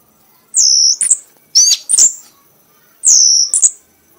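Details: Red-whiskered bulbul, an accomplished bird, singing in an ecstatic 'mabok' state until worn out. High, clear whistles slide downward and end in short sharp flicks, repeated in three phrases about a second and a half apart.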